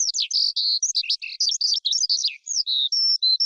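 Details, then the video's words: Skylark from the forest singing a fast, varied stream of sharp high chirps, slurred whistles and buzzy twitters, ending in a few clearer sustained notes. No background noise. The recording is meant for luring and training birds. "Tiếng Chim Sơn Ca Rừng Hót Hay Nhất"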